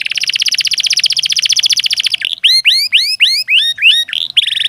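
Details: Master canary song meant to coax lazy canaries into singing: long fast pulsing trill lasting two seconds, followed by loud rising whistled sweeps and a closing buzzy roll.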